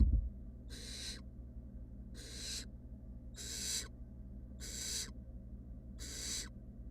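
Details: Five evenly spaced, snoring hisses from wild barn owl nestlings, three fluffy chicks in a nest box, each lasting under half a second and coming about every 1.4 seconds over a faint hum.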